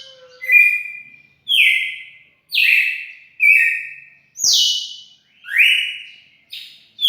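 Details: Red-cowled cardinal song recorded 4 February 2020, a steady run of strong whistled notes about once a second, each a bright harmonic-rich slur, mostly falling with a few rising, in an otherwise quiet background.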